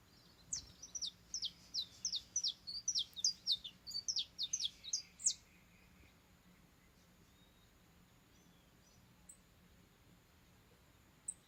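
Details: Saffron finch singing a fast run of high, clipped chirping notes for about five seconds, then falling quiet, leaving faint background hiss and a few distant high chips.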